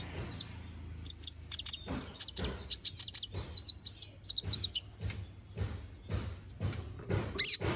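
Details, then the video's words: Konin bird singing vigorously with a varied, full repertoire, used as a training song for magpie-robins: rapid high thin chirps and short sharp notes in irregular bursts, with a faint low hum beneath. "MASTERAN BURUNG KONIN GACOR NGOBRA FULL ISIAN!"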